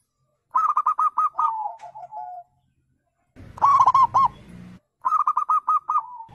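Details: Perkutut or zebra dove in the wild, calling to make other birds answer: three phrases of fast, evenly spaced bubbling coos, the first trailing into lower notes, separated by brief silences.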